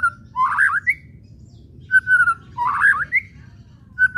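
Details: White-rumped shama whistling used as a lure to make shamas sing: a flat whistle followed by a warbled twisting phrase and a short upslur, repeated twice about two seconds apart, fairly low-pitched.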